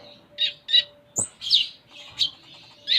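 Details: Van Hasselt's sunbird (konin) singing actively with a full, varied song: sharp high chirps repeated roughly every third of a second, then a rising slur and buzzy notes, over a faint steady low hum.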